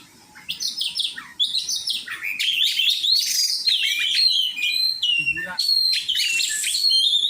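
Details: Oriental magpie-robin, called kacer, singing during training with other kacer birds: soft opening notes build into loud, varied whistles and chirps, with a brief descending trill and steady high phrases at the end.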